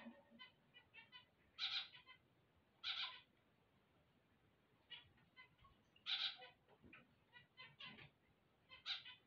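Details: Zebra finch song on waking, heard as short bursts of nasal, buzzy notes and harmonic toots at irregular intervals, loud phrases roughly every one to three seconds with softer chatter between.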